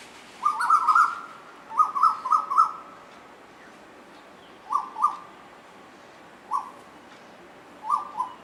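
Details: Two Asian koels singing and playing with each other: short, clear, whistled two-note phrases near one pitch, given in loose bursts of two to four with pauses of about a second between groups.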